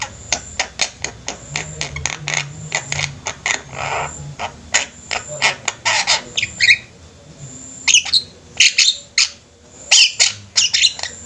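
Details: Javan mynas in a flock, with a run of sharp, clipped calls that turns into harsher squawking bursts after a brief quiet gap, irregular in timing; faint low background noise.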